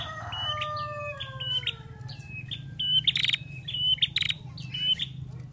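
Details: Female ashy prinia song opening with a slow series of falling drawn-out whistles, followed by repeated short high whistled notes and loud buzzy rattles, about one note each half second, over a low background hum.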